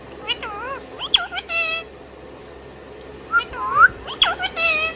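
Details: Indian ringneck parrot, a pet bird, giving a few sharp chirps and wavy, rising whistles in two short bursts separated by a pause.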